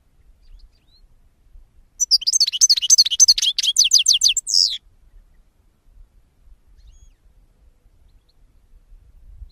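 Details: One sustained European goldfinch song phrase of nearly three seconds: a fast, even series of high, liquid twittering notes repeated rapidly, closing on a slurred note, then silence.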